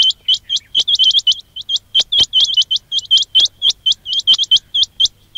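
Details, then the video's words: A quail call used as a trapping and hunting lure: quick, high, sharp chirps in a rapid stream, four or five a second with brief pauses, and no other sounds. "quail batair ki awaz"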